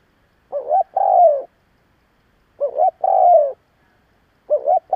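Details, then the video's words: Spotted dove used as a decoy to stir up other doves: two complete coo phrases about two seconds apart and the start of a third, each two rising notes then a long falling coo. "Cu gáy gù gáy kích bổi cực mạnh / Tiếng cu gáy hay kích bổi / Cu mồi thúc gù kích cực mạnh"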